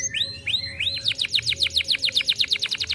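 A canary sings high, bright notes: a few rising whistled sweeps, then a fast run of repeated chirps, about four per second.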